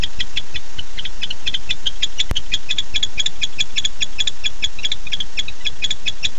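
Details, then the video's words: Male barn owl calling for his mate at night, arriving at 9:54 pm on 9-8-15, captured by a nest camera: rapid, regular, clicking pulses repeated several times a second over a steady low hum. "Casper showed up at 9:54 pm and called for Dottie"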